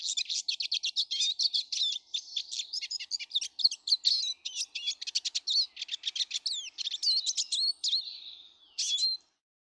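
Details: Eurasian siskins, many present in a garden on 19 March 2013, keep up rapid high twittering and trilled chirps, with a few slurred whistles near the end before the chatter stops.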